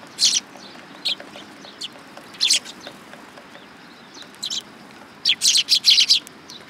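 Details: Eurasian tree sparrows at a Tenmangu shrine, coming for food on 19 August 2022. Sparse single chirps at first, then a rapid burst of five loud chirps near the end.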